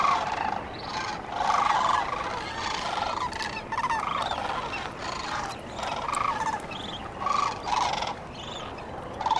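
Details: Sandhill cranes at dawn along the Cosumnes River, several birds calling at once in an overlapping chorus of rolling, rattling, trumpet-like notes, swelling in bursts every second or two with no pause.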